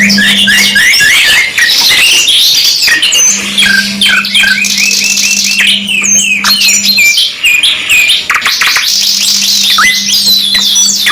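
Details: Masteran-style canary song, two-in-one mix: rapid rattling trills, rising whistled notes and bursts of chatter in a continuous busy stream, with a low steady hum coming and going beneath.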